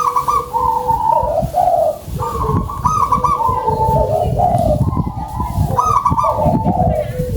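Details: Local zebra dove in full song with a big voice: strong, quick rolling coos repeated in close phrases, some sliding down in pitch, over heavy low rumbling background noise.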